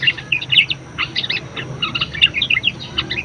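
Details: Budgerigar singing busily, kept as a master recording to train other songbirds: continuous fast chatter of high chirps and clicks in dense clusters, barely pausing, over faint low hum.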